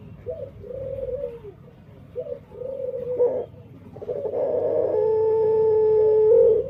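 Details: Dove with an unusual voice, uncertain whether unique or defective: short rounded coos followed by a longer drawn-out phrase, then a loud steady humming tone dominating the final seconds.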